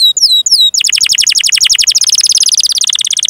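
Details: Canary in long, energetic song used as training material for young canaries: a few high whistled slurs, then a fast, loud, even trill of rapid downward sweeps that keeps rising in density.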